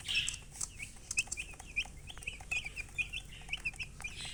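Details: Baby chicks chirping: a rapid series of high, short peeping notes, each a quick sharp rise, repeated many times a second with slight gaps, over a faint low hum.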